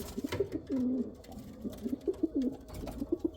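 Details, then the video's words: Pigeons of the Rampuri and Kal Cheeni kinds make quick, bouncing coo notes and one drawn-out low coo over a brief few seconds, against a noisy background. "Pigeon sound | kal cheeni kabutar sound | Rampuri kabutar sound"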